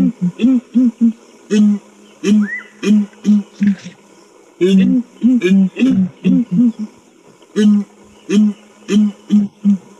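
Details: Southern ground hornbills in a deep, booming chorus call that travels several kilometres: low resonant hoots in rhythmic clusters of three to five, several birds overlapping, with brief pauses between bouts.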